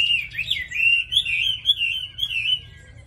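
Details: Continuous bright warbling from a caged Chinese hwamei in Vietnam, a bird praised for frequent singing and a lovely voice; the notes twist and bend rapidly without pause.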